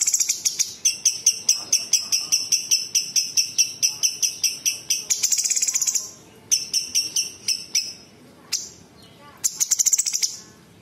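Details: Bulbul song with mimicked notes of small birds, large birds and insects: long steady series of sharp high ticks at about two per second, a buzzy rattle and further bursts.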